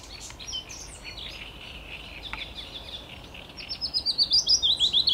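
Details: A willow warbler sings on 17 May 2021, a quick phrase of sweet, high notes sliding gently downward near the end, after faint chirps from other birds at the start.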